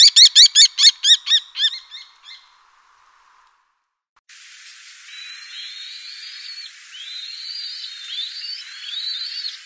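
Black-winged Kite: a quick run of about ten high, reedy notes that fade within two seconds, then after a pause thin rising whistles over steady hiss.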